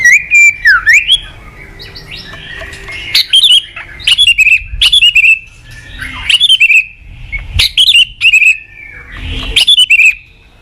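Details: White-rumped shama master song used for training young shamas: high whistled phrases repeated about every two seconds, each a sharp upslur followed by a short wavering note.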